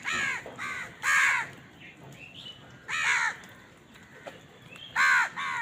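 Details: Crows eating give loud, grating caws in short clusters of two or three, with pauses of about two seconds between clusters and faint higher calls in between.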